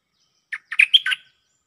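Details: Cream-vented bulbul used as a decoy bird, answering a resident bird: a quick phrase of five bright, chirpy notes, the first separate, the rest run together with a thin sustained whistle, all within about three-quarters of a second.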